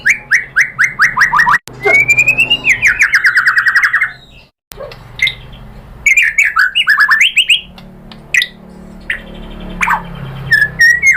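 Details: White-rumped shama, called murai batu, in a provoking lure song: fast descending rattled series, long trilled run, a pause, then scattered loud swooping whistles and sharp rising notes.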